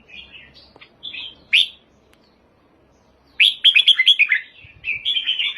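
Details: Red-whiskered bulbul song of chirpy warbled phrases, a quick upward note, a pause, then a lively run of bright staccato whistles ending in a sustained rolling warble.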